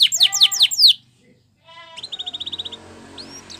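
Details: Canary training song in a brief burst: a short run of falling whistled notes, a pause, then a quicker, softer trill and faint high notes against a light background hiss.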